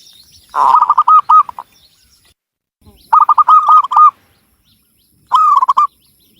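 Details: Energetic song of a local Javanese zebra dove in Cilacap, Central Java: three phrases about two seconds apart, each a rough start running into rapid, evenly bouncing hooked coos.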